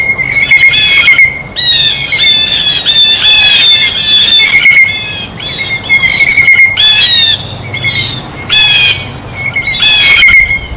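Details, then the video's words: Blue jay at a feeder while eating, calling with a long series of loud, grating squawks in clusters, punctuated by short silences and a thin whistled tone. "El SONIDO DEL BLUE JAY (Arrendajo Azul)"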